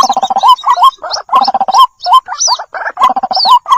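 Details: Chicks of the white-breasted waterhen calling to their mother, lure recording: rapid, crowded gargling trills and upturned notes, punctuated by high arching squeals, nearly nonstop.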